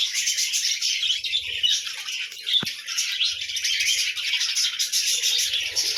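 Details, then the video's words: Budgerigars calling in the morning, a dense, continuous stream of high chirps, twitters and warbling chatter without pause, broken by one sharp click partway through. "Morning Sounds of Buddiges Parrot"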